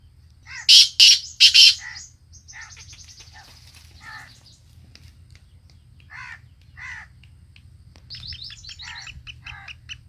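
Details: Sindhi black francolin, said to be enjoying itself and singing: three loud, harsh, grating bursts in quick succession at the opening, followed by fainter scattered notes, with a man's repeated calls and a low steady hum behind.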